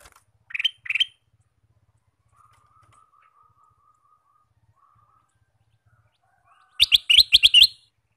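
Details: Male sooty-headed bulbul kept as a lure bird for trapping wild bulbuls: two sharp chirps, then a quiet pause with a faint low hum, then a fast burst of about six bright, clipped notes near the end.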